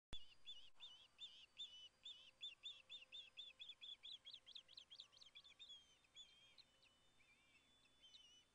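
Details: Wild Ospreys at the Hellgate nest in Montana on September 2, filmed by nest camera as the male brings a large fish to the nest. A rapid run of high, piercing chirps, about two per second, rises into sharper peaked notes, then trails off.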